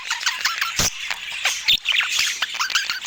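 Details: Budgerigars chirping while eating, filmed indoors in natural Scandinavian light: dense, overlapping chatter of short squawks and bright warbled chirps, several birds calling at once with no pauses.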